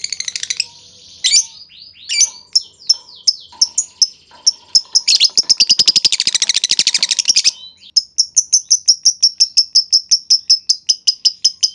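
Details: Lovebird chattering used to draw responses from other lovebirds: varied high slurred notes and sharp chips, a dense buzzy rattle in the middle, then a fast regular series of bright chirps.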